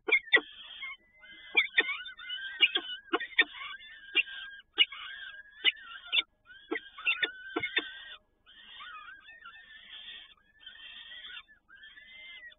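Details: Peregrine falcons, Toruń, Poland, 7 May 2019, feeding by both parents: thin wheezy whining calls with bending pitch, repeatedly punctuated by sharp clicks and knocks, with brief quiet breaks between bursts.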